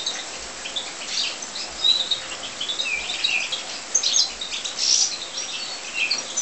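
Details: European goldfinches inside an aviary, sparse high chirps and short whistled slurs with twittering between them, plus soft low thumps recurring every second or so.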